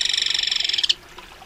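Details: Short burst from a crested kingfisher: a fast, harsh, pulsed rattle lasting under a second, ending in one sharper note, then near silence.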